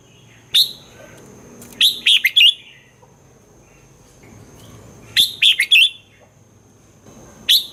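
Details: Caged-bird stimulating song of a red-whiskered bulbul, Thailand: sharp, high whistled notes, then two quick phrases of three or four clear downslurred whistles about three seconds apart, with a faint steady hum behind.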